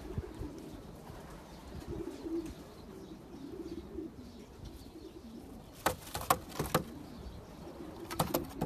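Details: Champion long-distance racing pigeon cooing, low rolling coos repeated steadily throughout, followed near the end by several sharp claps or clicks.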